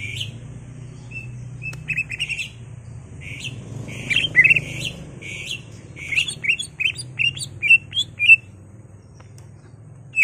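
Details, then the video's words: Caged greater green leafbird in excited, full-repertoire song, used to provoke another caged bird into singing: bursts of clear, slurred whistles and chirps, with short pauses between phrases and a steady low hum underneath. "CUCAK IJO GACOR EMOSI BONGKAR ISIAN NGENTROK/ PANCINGAN CUCAK IJO BIAR EMOSI"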